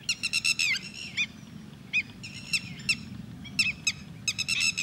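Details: Red-wattled lapwing, known locally as Titodi, calling at Thol bird sanctuary: repeated bursts of loud, strident, metallic notes in rapid groups of three to five, separated by short pauses, with faint low background hum.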